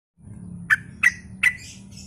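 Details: Sooty-headed bulbul in a gacor lure recording meant to draw replies from other bulbuls: three sharp, bright chirped notes spaced about a third of a second apart, over a low background hum.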